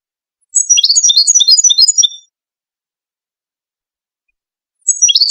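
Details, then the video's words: Song of a Moroccan Wedani European goldfinch used to tutor chicks: a rapid, twittering phrase of high liquid notes descending in pitch and ending on a drawn-out whistle, a long silence, then another phrase beginning. "مقطع لتغريد الحسون الويداني المغربي لتلقين الفراخ"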